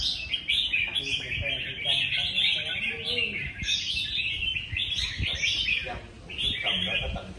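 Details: Several red-whiskered bulbuls at a singing contest trade loud, rapid warbled phrases with sharp upward flourishes, nearly continuous, while people talk quietly nearby.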